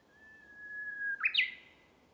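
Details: Uguisu, the Japanese bush warbler, in bamboo forest: a long, even whistled note held for about a second, then an abrupt loud two-part flourish that climbs and drops, fading with a faint ring.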